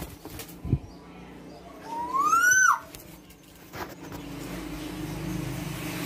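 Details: A tame female black-naped oriole gives a single drawn-out call midway: a bright whistle that climbs steadily, rich in overtones, and cuts off sharply. Low background hum and scattered knocks surround it.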